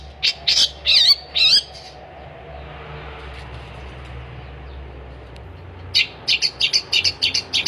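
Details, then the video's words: Harsh high phrases from a long-tailed shrike in gacor song open the recording, followed by several seconds of near silence, then a rapid burst of sharp chattering notes. "kicauan cendet gacor"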